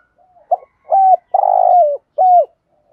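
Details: Spotted dove cooing, a call used to lure wild birds: a short note, then a longer buzzy rolling coo and a clear falling coo, low and mellow.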